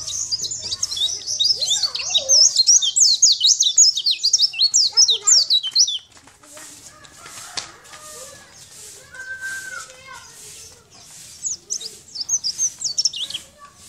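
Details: Sunda white-eye, a champion bird singing nonstop, recorded as a master track for training other birds: a rapid chatter of high, sharply slurred notes for six seconds, then quieter scattered chirps and faint lower whistles.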